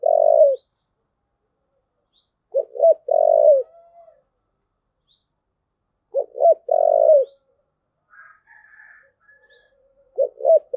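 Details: Spotted dove repeating the thúc gù coo about every three to four seconds, each phrase two brief low notes and a longer, steady hoot, with a faint higher murmur between phrases.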